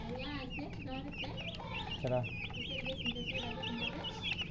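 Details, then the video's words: Chicken chicks calling nonstop, thin bright peeps with sharp up-down inflections tumbling over one another, while a deeper harmonic cluck breaks in around the middle. "Baby "Chicks Chirping" Sound"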